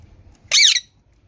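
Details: A single sharp, harsh squawk from a green parrot, lasting about a third of a second, arching down in pitch at the end, in a quiet setting.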